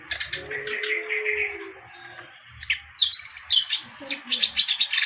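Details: Black-browed reed warbler (kerak basi) in lively song. It opens with softer chatter and a thin steady whistle, then breaks into bursts of sharp, scratchy, rapidly repeated notes. Faint low rumbles sit in the background.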